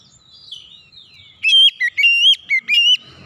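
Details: Oriental magpie-robin song: after a soft, falling whistled lead-in, five loud, pure whistled notes follow in quick succession, each held briefly with sharp up-and-down inflections, over a quiet background.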